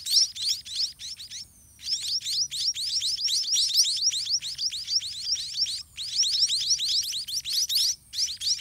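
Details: White-rumped munia chicks in the nest begging while a parent regurgitates food to feed them; a dense, rapid chorus of high, thin chirps, many notes per second, almost continuous with a few brief pauses.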